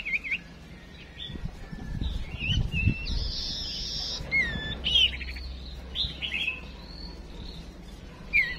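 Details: Female chim chuyền songbird decoy calling to prompt males to sing, with high whistled slurs and short buzzy trills, plus low thumping handling noise in the first seconds.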